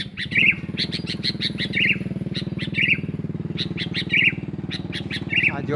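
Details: Sooty-headed bulbul used as a lure call. Rolling warbled phrases repeat every second or so above a loud, throbbing motorcycle engine.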